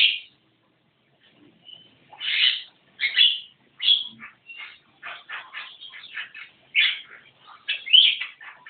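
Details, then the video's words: Javan myna in energetic song: a long run of harsh, grating chatter and squeaky notes, bursts coming about every half second after a short opening note and pause. "Burung jalak kebo gacor"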